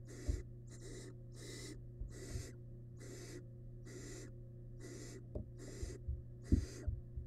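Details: Wild barn owl nestling in a monitored nest box, feeding on a large rabbit remain. About nine harsh, breathy hissing bursts come at a steady pace, with soft knocks and thumps of movement under a constant low electrical hum.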